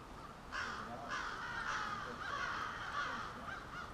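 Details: Crows gathering at their nightly roost in suburban Halifax, Nova Scotia, calling in a dense chorus: harsh, overlapping caws repeated almost twice a second, each a rasping burst over a steady low murmur of many birds.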